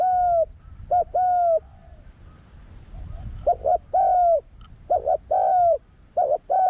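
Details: Spotted dove, a young bird in training on its first outing in the forest, giving soft mellow coos. Short notes lead into longer drawn-out coo phrases, repeated several times, with faint low rumble behind.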